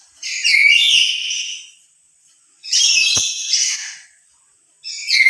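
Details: A lory on its own giving emotional loud calls, said to be louder than when among other lories. Two long, grating screeches over a second each, separated by a silent pause, with a third beginning at the end.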